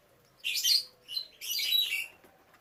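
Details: Canaries kept for breeding, with young; two loud, dense bursts of high, buzzy twittering, the second longer, separated by a brief softer chirp.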